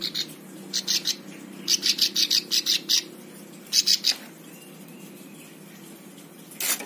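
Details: Plain prinia singing for master training of other birds: loud, buzzy, high pulsed bursts in clusters of four to six, with quiet gaps between groups.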